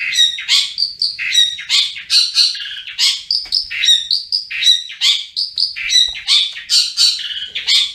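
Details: Long-tailed shrike in full, active ngriwik-style song: a busy jumble of varied notes, with clear whistles, scratchy chips and harsh slurs, delivered in quick phrases without a break.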